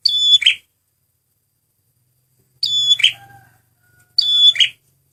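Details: Male red prinia (prenjak merah) lure song: three high whistled phrases ending in buzzy rasps, the later two closer together, with a faint low hum and a soft lower whistle after the second phrase.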